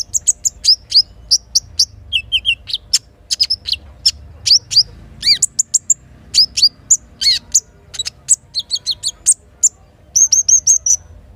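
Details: Little spiderhunter singing in the morning, used as a lure to prompt birds to sing, mixed with kinin song filling: rapid, varied sharp high chirps and short whistled notes in irregular bursts, with brief low three-note phrases.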